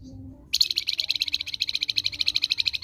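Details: A singing flamboyan (blood-breasted flowerpecker) used as a tutor for other songbirds bursts into a steady, very fast trill of high, bright, evenly spaced notes lasting over two seconds.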